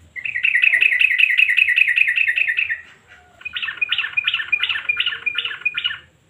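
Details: Sooty-headed bulbul singing loudly as a lure for silent birds: a fast even series of bright chirping notes for about two and a half seconds, a brief pause, then a second burst of richer, buzzier repeated phrases.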